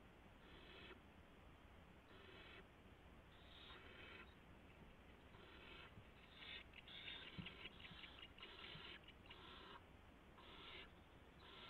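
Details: Barn owl owlets on March 16, 2016, around 3:10 AM, as a gopher is brought in. Soft breathy hisses come in spaced bursts, growing busier and more clustered near the end, with faint scraping.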